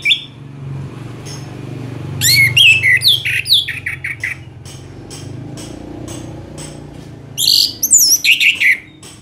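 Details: Orange-headed thrush (Geokichla citrina) sings a long, continuous song used as a tutor for other songbirds. Two bursts of rich, varied whistled phrases, fast, high and tumbling, play over a low steady hum.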